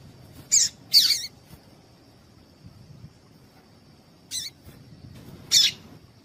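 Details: Female Double-collared Seedeater giving four short, high, sharp chips, two close together then two spaced about a second apart, over a faint steady whine; a female call played to stimulate male seedeaters to sing.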